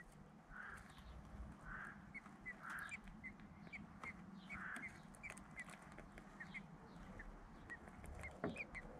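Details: Nestling common blackbirds, three to four days old, being fed by their mother and father in the UK; a few soft rounded calls early on, then a run of thin, high, clipped notes, over steady low-pitched background noise.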